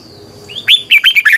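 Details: Red-whiskered bulbul decoy song in the double-voice style: a single quick phrase of bright, bouncing whistled notes, rising first and then tumbling downward, over a faint high hum.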